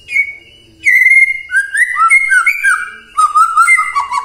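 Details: White-rumped shama song used as a morning lure so that silent shamas answer and sing: clear whistled phrases, a held note, then sliding and warbling whistles after a short pause, with a second burst near the end.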